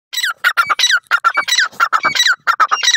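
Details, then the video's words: Grey francolin (teetar) gives loud, harsh, grating notes in quick bursts of three or four, repeating steadily throughout with no other sounds. "teetar awaz"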